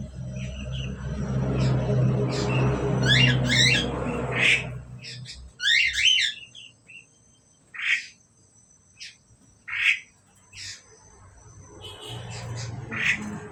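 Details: Asian pied starling pair calling: a low rumble at first, then bright, harsh, harmonic chattering notes in clusters, followed by single clipped calls about once a second.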